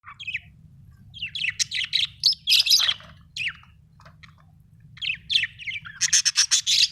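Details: Budgerigar from Australia chirping: bursts of busy, scratchy warbling and short tweets, with a run of rapid sharp clicks near the end, over a steady low hum.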